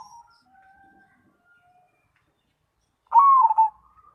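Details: Perkutut Cemani zebra dove singing actively: a faint low hum early, then one loud vibrating coo near the end that drops slightly in pitch and is followed by a short trailing note.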